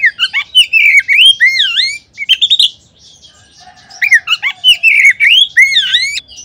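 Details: Oriental magpie-robin singing to stimulate other magpie-robins: lively, rolling whistled phrases with dipping and rising notes, a short pause, then a second equally loud, varied burst of song.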